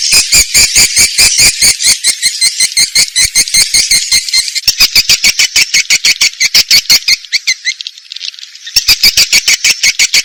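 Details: Indonesian swiftlet sound for swiftlet farming: steady, fast ticking clicks under a hoarse chattering twitter, with a short softer lull near the end before the chatter resumes.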